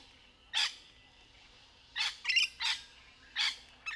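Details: Rainbow lorikeet in trees amid courtship behaviour, giving harsh, raspy screeches in short bursts, a lone note then a cluster of four grating squawks close together, over quiet background.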